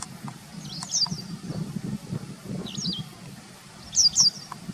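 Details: Tame white wagtail that does not flee, seen in late September 2020 a few metres from a car where people walk by: a few high, sharp twittering notes, singly and in quick pairs, over a steady low rumble.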